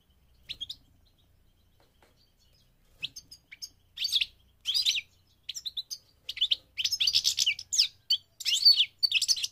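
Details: Goldfinch song during migration, starting with scattered high chirps and building into rapid, jangling twitters and trills that grow louder and denser toward the end.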